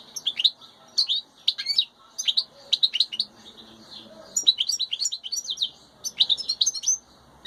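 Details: Wild European goldfinch with its chicks; bursts of high, thin twittering chirps and buzzy notes come in quick clusters about every second, with short pauses between them, over a quiet background.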